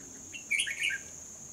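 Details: Red-whiskered bulbul used as a decoy bird for trapping in Hòa Bình, 14 November 2020: one brief, quick warbled phrase of a few bright, slurred notes, set against a steady high insect drone.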